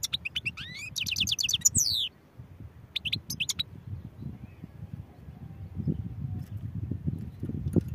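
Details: European goldfinch giving twittered notes, a dense buzzy trill and downward-sliding phrases, then two short bursts of chirps around three seconds in, followed by low background noise.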